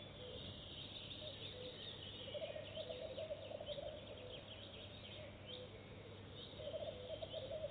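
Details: A female Goosander, visiting a nest box for the first time and laying an egg right away, gives low, rapid, rattling croaks in two short bursts a few seconds apart, over a steady muffled hum.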